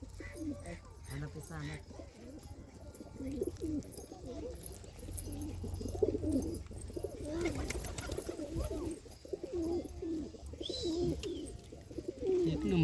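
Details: Pigeons kept by villagers in Shirwali village, Bhor, Maharashtra, giving steady, overlapping low throaty coos in rolling bursts, with a faint low rumble underneath and a few brief sharper sounds.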